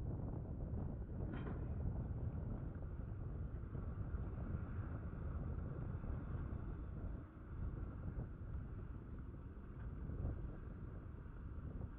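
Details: Steady low rumble of wind or an engine, with no animal calls standing out.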